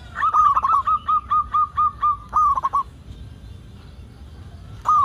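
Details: Vigorously singing local zebra dove, used to prompt other zebra doves to sing: a burst of quick stuttered notes runs into a regular row of level coos, ending in a trill, followed by silence and one more opening note.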